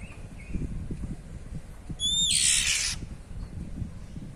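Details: Oriental magpie-robin (kacer), ngeplong style, with one cier call: a pure high whistle held briefly, then a loud scratchy rasp lasting about a second, over steady low rumbling noise.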